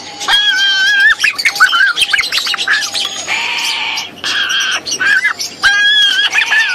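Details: Three very hungry baby sulphur-crested cockatoos being hand-raised, begging noisily: repeated nasal, wavering squeals with rising and falling tones, interspersed with harsh rasping bursts and clicks.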